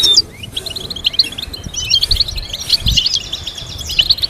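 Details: Goldfinch song used for teaching caged birds complex melodies: rapid high twittering and tinkling notes run together almost continuously, with scattered sharper chips and a faint low hum underneath.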